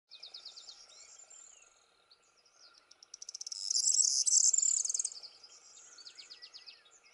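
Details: Corn bunting (Emberiza calandra) song at Fagagesto, Gran Canaria, in May 2018: a few quickening ticks run into a bright, jangling trill like shaken keys, with faint buzzy chirps from other birds or insects around it.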